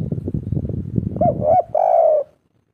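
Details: Indonesian local spotted dove with a 'kuk 3' song: low rumbling background gives way to a couple of brief mellow hoots and a sustained, gently falling coo.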